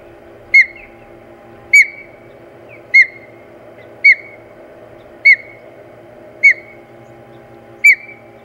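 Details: Whistled osprey chirps from the Hog Island nest, 4 May 2020, amid a fight over the nest: seven clear, down-slurred notes repeated roughly every 1.2 seconds, with a constant low mechanical hum beneath.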